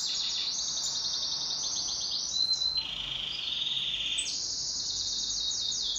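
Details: Domestic pet canary in a duet, delivering an unbroken stream of fast rolling trills that shift midway into a lower, smoother sustained tour before returning to rapid high rattles.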